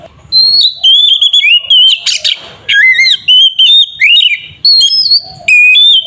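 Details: Oriental magpie-robin (kacer) delivering the full ngeplong fighting song used to provoke rival birds into singing. Dense, loud whistled phrases mix upslurs, downslurs and buzzy notes, separated by short pauses, and include one harsh rasping burst near the middle.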